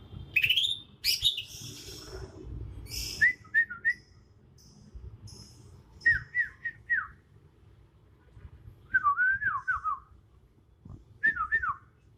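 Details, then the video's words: Young leafbird from Kalimantan singing its own natural song: high scratchy notes, then repeated groups of short dropping whistles with pauses between groups. "Suara asli alam cucak ijo kalimantan"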